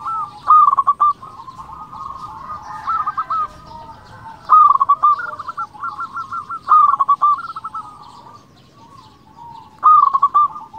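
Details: Local zebra dove in full song, meant to provoke rivals into singing: soft trilled coos near one pitch, each phrase a quick run of notes ending in a drawn-out coo, repeating about every three seconds, fainter doves trilling behind.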